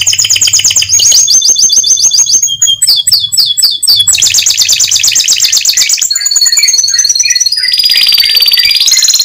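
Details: Canary song used to stimulate other canaries to keep singing: loud, continuous high trills and rapid rattling phrases, switching every second or two between fast buzzy rolls and sweeping whistled runs, with faint low hum beneath.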